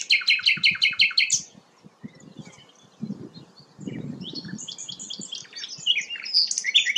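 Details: Sikatan londo flycatcher in full song, a melodious singer used as a tutor for white-rumped shamas. It opens with a rapid repeated trill, pauses, then gives a jumble of quick high chirps over faint low background rumble.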